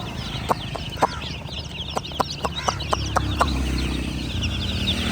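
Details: High, thin chirps of baby chicks run under a string of loud, sharp knocks or taps roughly every quarter second, over a steady low rumble.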